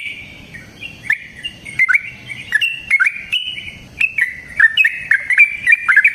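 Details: Yellow-vented bulbul, called trucukan, in long-running gacor song used as a lure for other birds: a faint soft start, then bright gurgling whistled phrases that step up and down, growing busier toward the end.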